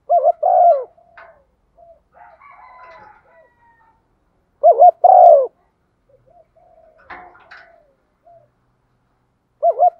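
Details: Female spotted dove call used to stir males into cooing in wet, windy weather: three soft coo phrases, each a short wavering note and a longer falling note, spaced roughly five seconds apart, with faint chirps between.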